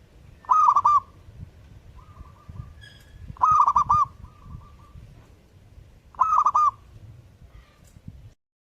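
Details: Zebra dove (perkutut) in lively song, giving three rapid rolling coo phrases about every three seconds, with soft humming notes between them over a low rumbling background.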